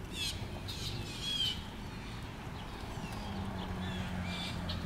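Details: Blue jays in Petrifying Springs Park, Somers, Kenosha County, Wisconsin, on 22 July 2024 give three harsh, squawking calls in quick succession, then fainter rasps near the end, over a steady low rumble.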